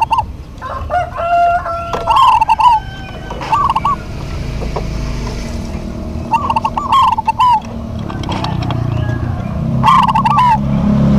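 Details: Local zebra doves in duet: rolling trilled coos at intervals of a few seconds, partly masked by a passing engine rumble that grows louder toward the end.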